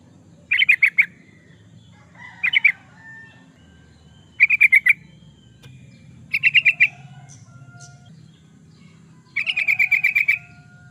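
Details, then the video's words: Yellow-vented bulbul, a lively singer used as a lure or training master, giving five short chattering phrases of three to six notes every two seconds or so, over a faint rumble and soft background calls. "Suara burung trucukan, pancingan burung trucukan suara gacor"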